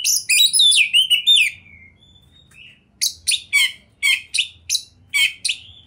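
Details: Kept oriental magpie-robin opens with a dense tangle of buzzy, slurred whistles, pauses, then delivers spaced, sharp chip notes about three per second, with a faint low hum behind.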